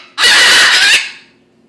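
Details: A female red-fronted macaw with a small voice, performing tricks indoors on cue, gives one loud, harsh, raspy squawk lasting under a second, trailing into a brief indoor echo.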